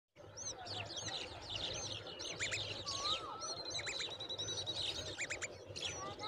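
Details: Common babbler with its baby that cannot eat: busy, overlapping high squeaky chirps and short whistled notes from several birds at once, over a steady low hum.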